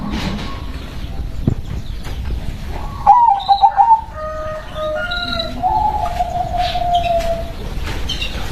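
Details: Zebra dove, a local perkutut described as berkodam, gives a short burst of rippling stuttered coos. A long, smooth, slightly falling trill follows, with faint higher whistles from other birds over constant background hiss.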